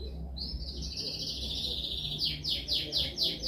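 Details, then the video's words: Canary singing a training song: a long high rolling trill that gives way to a series of about seven descending sweeping notes repeated in quick succession, with low background hum. "Canção mais dominante de canary para treinagem."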